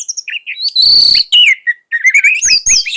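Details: Orange-headed thrush, a bird offered as a song tutor for young thrushes, delivering a fierce, varied song: high whistled notes, a sustained buzzy stretch, then rising and falling slurred phrases with short pauses.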